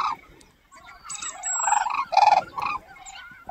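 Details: Red-crowned cranes on the Cheorwon plain, Gangwon Province, Korea, moving in a line as if marching, give loud, rolling trumpet calls in several quick bursts, with a thin high whine faintly behind them.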